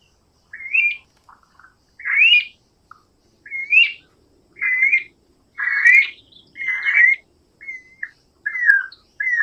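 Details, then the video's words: Guira cuckoo (Guira guira) singing: a steady series of clear whistled notes, each rising then dropping slightly, repeated roughly every second. The later notes come faster and fall in pitch, and a faint murmur sits beneath. "Anu branco,Guira guira, cantando -canto do anu branco"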